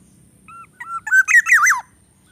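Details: A Greater coucal chick at its nest, struggling to swallow a rat's head brought by its parent, gives a brief burst of squeaky, wavering notes, thin whistles ending in a rasping, falling squeal.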